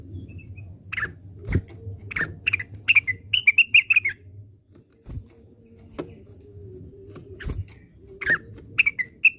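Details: Cucakwilis, the orange-spotted bulbul, singing its classic song in Indonesia: scattered clicks lead into rising, bright whistled phrases, a quiet pause, then more sharp chirping notes, with a faint low background hum throughout.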